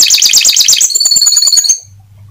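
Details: Song of an Atlantic canary, played to get other canaries singing vigorously: a rapid, very high rolling trill that shifts into a thin sustained whistle and stops abruptly, leaving a low hum.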